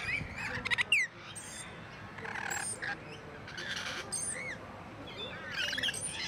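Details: Rainbow lorikeets at Paradise Country wildlife park zoo: shrill, scratchy squawks and short rising screeches from several birds, overlapping and irregular, over a steady background hiss.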